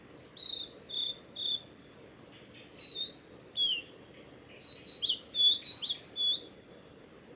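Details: Male Blue-and-white flycatcher singing at Tanzawa's Mizusawa forest road, Japan, on 8 June 2020: loud, varied whistled phrases with sharp downslurred and upswept notes, some very high, delivered in quick bursts.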